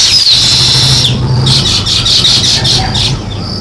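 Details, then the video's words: Sparrows chirping in a dense, continuous high chatter from a flock, thin overlapping notes blending into a steady shimmer, with a low hum underneath. "Sparrow Chirping"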